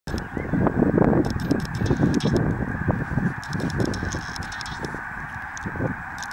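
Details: Snow geese at Merrill Creek Reservoir, a large flock calling together: a dense, continuous chorus of overlapping nasal honks, loudest in the first two seconds and then easing slightly, with some higher clicking noises.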